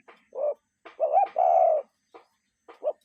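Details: Natural cuckoo call: one clear two-note phrase, a quick bent note then a sustained lower-falling note, flanked by short isolated notes and soft clicks in quiet surroundings.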